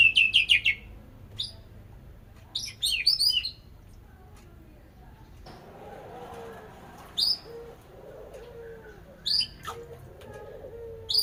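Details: White-rumped shama singing: bursts of loud, high whistled and trilled notes in short phrases separated by pauses, with a faint low hum and softer mid-pitched murmuring sounds between phrases.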